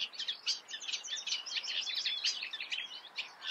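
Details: Eurasian reed warbler singing, with dense, fast chattering of squeaky and harsh notes and short slurred whistles mixed in, all delivered at an even pace.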